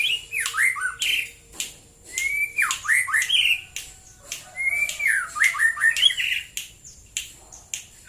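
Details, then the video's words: White-rumped shama, morning, Prambanan area of Central Java: repeated phrases of swooping whistles and sharp squeaks, about every second or two, over a thin continuous high tone. "KICAU BURUNG MURAI BATU DI PAGI HARI"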